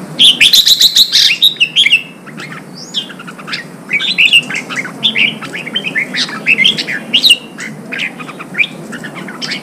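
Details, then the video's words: Red-whiskered bulbul being trained for singing contests: a loud, fast burst of high warbled notes opens, followed by a busy mix of sharp chips and short whistles. "Kích chào mào bổi hót, kích bổi sổ giọng, luyện chào mào hót đấu"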